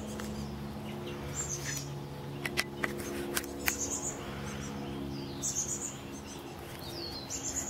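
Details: Chestnut-backed chickadee chicks, at least two, inside a birdhouse and almost ready to fledge, Pleasant Hill, California, April 28, 2013; thin, very high chirps in short clustered bursts, with scattered sharp clicks or taps and a steady low hum.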